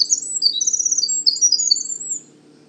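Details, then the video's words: Male Winter Wren singing from the understory at Manchester Cedar Swamp Preserve, New Hampshire, early in the season; a long, complex, very high tumbling stream of rapid trills and twittering notes, ending after about two seconds. "They have a long, beautiful and complex song which males sing often earlier in the season from an elevated perch in the understory."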